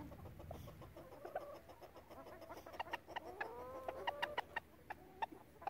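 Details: Relaxed flock of chickens murmuring soft clucks, then a wavering drawn-out croon, with sharp ticking taps repeated through the second half.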